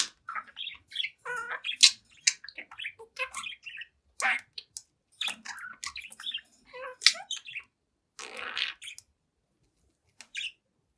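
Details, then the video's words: Talkative seven-month-old budgerigar singing and chatting before a mirror: dense stream of mixed chirps, clicks and warbled notes for about eight seconds, ending in a harsh hissy burst then near silence. "Young Budgie Talks, Dances, and Sings in Front of the Mirror"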